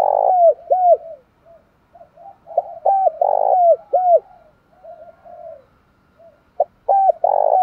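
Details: Repeated cooing from a spotted dove, used to goad males into fighting. Loud rough coos alternate with clear downslurred notes and quieter soft hoots, in irregular bursts over several seconds.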